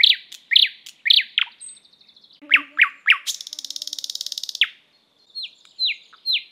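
Thrush nightingale song: loud, sharply falling whistled notes repeated in quick phrases, broken by a dry, rapid clicking rattle, then more descending whistles.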